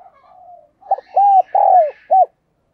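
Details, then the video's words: Decoy spotted dove cooing, then calling to attract wild doves. Quiet low murmured cooing leads into one clear, hollow four-note phrase, with the third note longest and falling slightly in pitch. "tiếng cu gáy - Chim Cu Mồi Thúc Gù Và Gáy Gọi"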